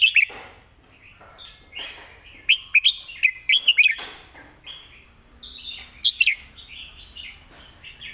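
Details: Red-whiskered bulbul singing a clear model song for training other birds, short whistled note clusters that rise and dip, separated by softer chattering and a faint background hiss.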